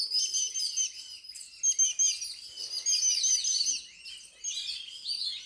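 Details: Indoor birds at home give bright, high-pitched chirps and tweets that overlap almost continuously, with short lulls between bursts.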